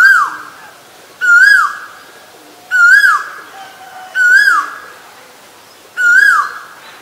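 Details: Asian koel repeating a loud, ringing whistle five times, every note swelling upward before dropping off, evenly spaced about a second and a half apart with little else audible.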